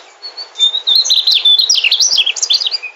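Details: Mugimaki flycatcher, a migrant songbird, singing a continuous, melodious phrase of high whistled notes that rise and fall rapidly, with thin twittering throughout.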